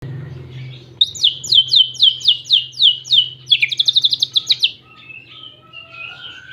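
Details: Greater green leafbird song imitating a canary: a fast series of clear descending whistled notes, then rapid high trills, fading into softer warbles, with a low hum beneath.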